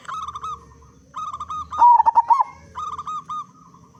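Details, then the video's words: Loud-voiced local zebra dove used as a lure to set other zebra doves singing; one quick phrase of rippling, staccato coos set between repeated nasal, harmonic-rich calls from another caller. "Perkutut Lokal Gacor Suara Besar Pancingan Burung Perkutut Agar Cepat Bunyi"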